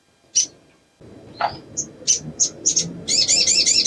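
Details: A female ruby-cheeked sunbird in breeding condition, calling to males, gives thin, high separate chips spaced irregularly, then a fast shimmering high trill, over a low background hum.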